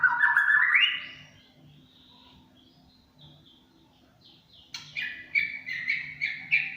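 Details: Champion white-rumped shama, murai batu, singing a tembakan cililin style song: a loud rising whistled phrase, a quiet pause, then a run of bright, evenly repeated chirping notes roughly twice per second.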